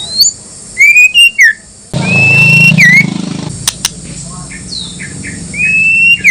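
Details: White-rumped shama lure song to stir other shamas to answer: short whistled notes and downslurred twists, then a long rising whistle over a loud low rumble, followed by loud clicks and softer whistles.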